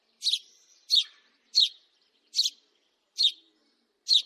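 A house sparrow gives six bright, slightly buzzy chirps, evenly spaced about three-quarters of a second apart, against a quiet background.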